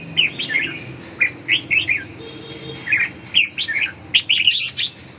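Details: Red-whiskered bulbul song of bright, liquid whistled notes grouped in short bursts of two to four, separated by brief pauses, with a quiet steady hum underneath.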